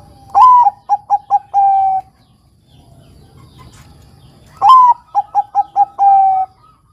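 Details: Bangkok-type zebra dove in lively ngayer song, played as a lure to stimulate young males; two phrases, each a loud arching opening coo, four short clipped coos, then a long level coo, with faint low rumble between.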